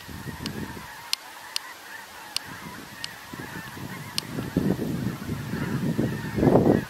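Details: Snow geese in enormous numbers on 17 November, a constant roar of layered honks swelling louder toward the end as nearer birds call, with occasional sharp clicks and low rumble.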